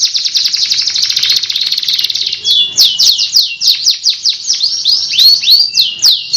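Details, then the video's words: Loper canary in a long roll, opening with a steady high buzzing trill and breaking into repeated hooked descending notes, clear and close. "Suara burung kenari loper ngerol panjang"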